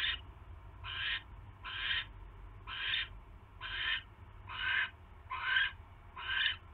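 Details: Barn owl at a nest on a live camera, the evening of 27 January 2016 at 7:24 PM, as a mouse is delivered to the nest; eight harsh, rasping hiss-like bursts repeat about once a second over a low steady hum.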